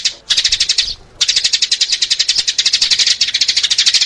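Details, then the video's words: Lure calls for sparrows: a short chirping burst, then a brief gap, then a long unbroken stream of quick, bright, high-pitched chirps. "เสียงต่อนกกระจอก 2021 ສຽງຕໍ່ນົກກະຈອກ 2021"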